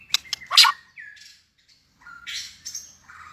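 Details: White-rumped shama in competition singing, tail-flicking and just entering breeding condition, giving harsh squawky and buzzy notes mixed with short whistled slurs, with short gaps between bursts.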